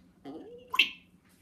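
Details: A pet African grey parrot, Odie, speaks a short two-syllable word, a low voice-like start then a sharper brighter ending, in a quiet room, answering "What's your name?" with its name.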